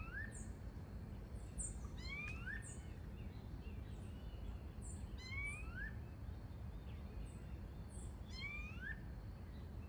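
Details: Wild Variable oriole in natural habitat gives upward-sweeping whistled notes, some in quick pairs, every few seconds, with a background of high chirping from other bird species and constant low-pitched environmental noise.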